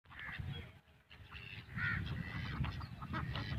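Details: Ducks swimming in a swimming pool quack in short nasal bursts, several overlapping across a few seconds, over a low rumble of splashing water.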